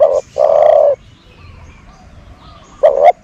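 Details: Decoy dove cooing: a short note and a longer steady coo, a quiet pause, then a quick double note beginning the next phrase; faint chirps in between.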